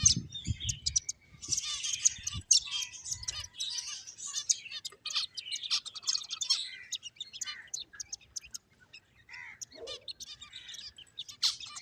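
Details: Finches playing produce a long spell of rapid, high-pitched twittering that thins into sparse, short chirps and a few lower squeaky notes, with a soft rumble at the start.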